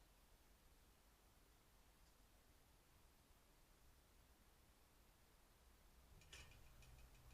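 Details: Quiet, steady hiss fills the room until a brief rustling clatter and a slightly louder low hum come in near the end; no animal voice is heard.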